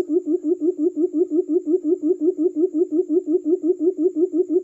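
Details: Trapping lure call of forest quail: deep, hollow pulses repeated evenly, close to three a second, continuous throughout, with a faint steady high tone behind.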